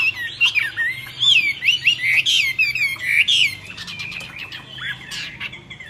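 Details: Myna singing fluty, wavering whistles strung closely together, then rougher clipped notes and clicks that fade toward the end.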